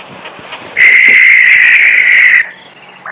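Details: A barn owl call played back from a phone during an evening safari broadcast: one long, harsh, hissing screech held steady for nearly two seconds before cutting off, over a quiet background; called eerie and horrifying.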